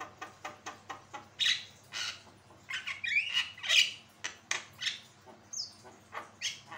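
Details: Javan myna song for tutoring and provoking other birds to sing: a steady train of clicks at first, then loud grating squawks mixed with whistled slurs and more rhythmic clicks.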